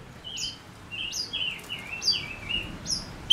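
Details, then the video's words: Male Gouldian finch kept as a decoy singer for luring wild birds gives a soft run of short, high, falling whistled notes in close succession, with light background hiss. "Chim ngũ sắc mồi hót cực hay kích bổi nhanh nổi | chim ngũ sắc hót"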